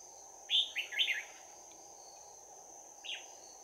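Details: A red-whiskered bulbul's bell-toned combative song, recorded on 11 January 2019 during trapping: a burst of three or four clear, rolling whistled notes, then a lone short note about two seconds later, with a faint constant insect hum.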